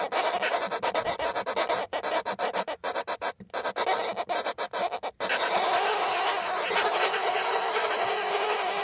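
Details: Northern Flicker nestlings in a nestbox give a harsh, raspy buzzing, first as rapid pulses about three per second, then merging into a steady hissing drone.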